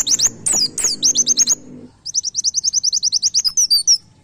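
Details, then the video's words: Rapid nembak-style white-eye song used as a tutor for caged birds: a few sharp falling whistles, then a long, even run of high, quick, chipping notes over about two seconds, fading at the end. A faint low hum sounds early on. "MASTERAN PLECI NEMBAK"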